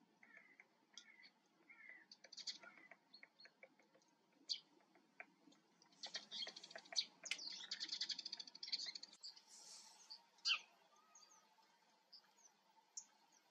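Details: Eurasian siskin: scattered high thin chirps early on, then a dense run of rapid twittering notes in the middle, and a few sharp high calls near the end, mixed with faint clicking and tapping sounds.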